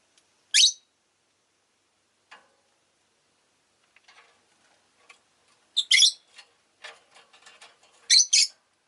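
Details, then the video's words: A single sharp screech from pet rosy-faced lovebirds, near silence, then a burst of loud, grating double calls mixed with rapid clicking chatter. "Lovebird Chirping Sounds"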